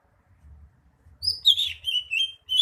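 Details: Sweet, high warbled phrases from a greater green leafbird: a rising note, then a tumbling slurred twitter and short repeated chips, over soft low knocking sounds.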